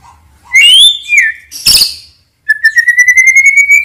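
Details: White-rumped shama morning lure song for birds slow to sing and answer rivals: a whistled phrase, a sharp crack, then a long steady whistle over a fast rattling trill.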